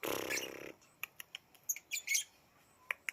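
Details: Baby lovebird giving a harsh, raspy, pulsed buzzing burst lasting under a second, followed by scattered dry clicks and a few short high chirps in an otherwise quiet setting.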